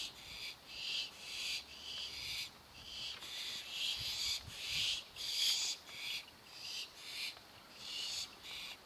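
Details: Baby barn owls waiting for their dinner give long, harsh hissing screeches, one after another, roughly every half second to one second, with a steady background hiss.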